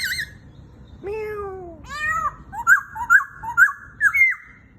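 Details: Gentle tutoring song of a white-browed laughingthrush imitating a rooster crow: two descending crow-like harmonic phrases, followed by a quick run of sharp, ringing whistled notes at roughly half-second intervals.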